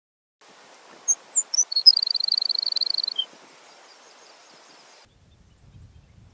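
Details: Baird's sparrow (Centronyx bairdii), a native-prairie bird, on a roughly 70-year-old recording: a few high, thin introductory notes, then a fast, slightly lower tinkling trill ending in one dropped note. Faint hiss.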